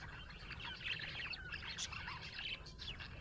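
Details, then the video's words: Happy budgerigars, colourful Australian parrots, chatter in a short burst of rapid squeaky chirps and warbled trills, overlapping voices with a few sharp clicks and a faint low hum beneath. "Happy budgie chirping sound"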